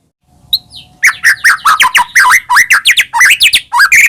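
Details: Singing white-rumped shama of the Medan type, full of mimicked fills, played to make other birds sing: after a soft note, a continuous stream of loud slurred whistles, steep upsweeps and quick chips, varied and unbroken.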